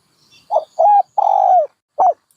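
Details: Brief dove phrase of a soft hoot, an arched note, a long descending coo and a closing short note, with nothing else audible.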